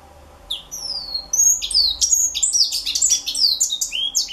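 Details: Young African citril singing: a jumbled, high twittering run of quick varied chirps and short slurred whistles, some rising and some falling, that builds in density after the first second and continues without a pause.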